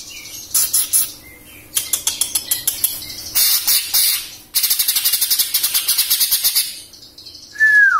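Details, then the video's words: Kept greater green leafbird from Samarinda, young and newly out of speckled juvenile plumage and waiting to moult, pours out rapid chattering trills and fast series of buzzy clicking notes, ending with a clear whistle falling in pitch. "Cucak Ijo Lepas Trotol"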